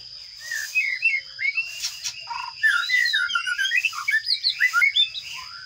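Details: Sparrow chicks begging as they are fed in a nest box: dense bursts of high, shrill chirps and rising squeaks, repeated rapidly, with a steady high electronic whine throughout.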